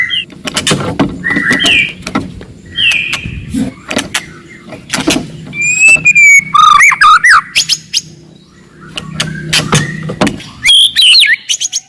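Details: Forest white-rumped shama singing loudly and aggressively to provoke rivals: scattered whistles and rising slurs among clicking chips, a burst of fast varied phrases midway, with sharp clicks and low rumbling background noise throughout.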